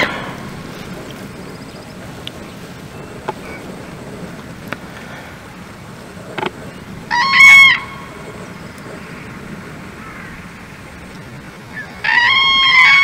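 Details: In February 2024 at Czechowice-Dziedzice, common cranes (Grus grus) give two loud, rolling trumpet calls about five seconds apart, over a low background hum with a few faint clicks.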